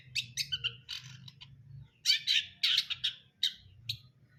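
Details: Long-tailed shrike song of varied chattering notes: short scratchy chirps and harsh rasps in irregular bursts, a louder cluster after a brief pause, over a steady low hum.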